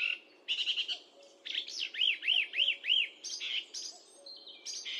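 A song thrush sings loud, varied phrases. One clear arched whistle is repeated four times in quick succession among sharper, trilled notes, high-pitched and bright.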